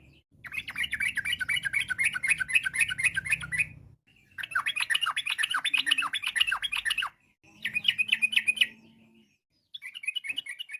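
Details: Yellow-vented bulbul singing long, dense rapid-fire 'ropel' song to get other bulbuls to answer: several sustained runs of fast chattering, bubbly notes of a few seconds each, broken by short silences.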